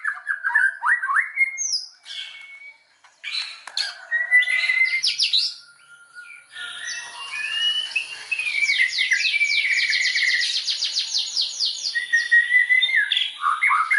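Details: White-rumped shama song as a lure to provoke other shamas; scattered whistles and sweeps, then a long fast rattling trill of high repeated notes.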